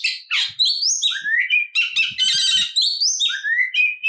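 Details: Fighting song of an Oriental magpie-robin, full of varied material and used to provoke other birds of its kind. Clear upward-sliding whistles recur between a grating buzzy trill and scratchy notes, with faint thumps.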